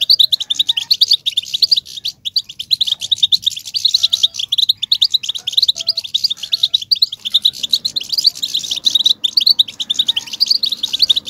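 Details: European goldfinch twittering song played to stimulate males to sing: dense, rapid high chirps and trills running continuously with brief pauses, bright tinkling notes layered throughout, no other clear sounds.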